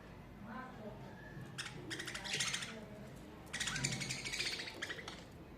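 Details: Budgies chattering on a summer day: two dense bursts of rapid, scratchy warbling and chirps, the first around two seconds in, the second from about three and a half seconds, over a faint low hum.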